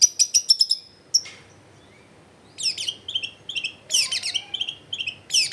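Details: Long-tailed shrike, recorded at home in a crowded neighbourhood: a quick series of six sharp high notes, a pause, then varied twittering and buzzy warbled phrases.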